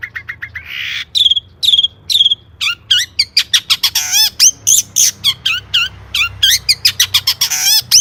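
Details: Long-tailed shrike singing a 'gacor' song with rich 'isian' fill. Soft repeated notes and a spaced series of clear high whistles build into a fast, dense medley of chirps, trills and buzzy sweeps.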